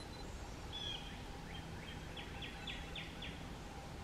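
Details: A Prothonotary warbler sings at South Tibwin Trail, Charleston County, South Carolina, on 18 April 2021: a quick series of about seven bright, ringing notes, repeated evenly, over a steady background hiss and low rumble.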